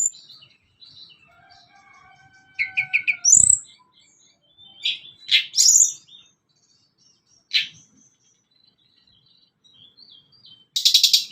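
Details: Sunda blue robin song used to stimulate newly caught and grown birds: soft scattered notes, a quick stuttered series of chips, thin sustained whistles, loud sharp calls, then a dense high buzzy trill at the end.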